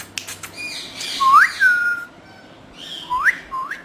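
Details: Green talking parrot producing clear whistled notes that rise steeply, one long upward-sliding whistle followed by shorter rising whistles, over faint background hiss.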